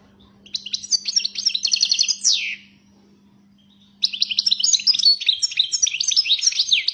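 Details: European goldfinch, described as fiery, singing rapid tinkling twitters and buzzy descending slurs in two bursts separated by a short pause, over a faint steady low hum.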